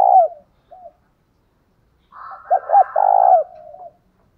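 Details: Decoy spotted dove calling a fighting coo to set other doves calling: a loud opening coo, a pause, then two quick hooked notes and a sustained rolling coo over a fainter overlapping dove.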